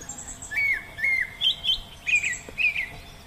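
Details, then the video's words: Oriental magpie-robin in the wild giving a run of clear, warbled whistles. Short twisting notes shift between lower and higher pitches, about five phrases in quick succession, over a soft background hiss. "Nghe Tiếng Hót Của Chim Chích Chòe Ngoài Thiên Nhiên"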